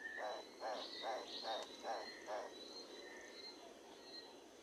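Livingstone's turaco gives a rapid run of six harsh, croaking notes, about two per second, then falls silent; faint high whistles from another bird sound behind.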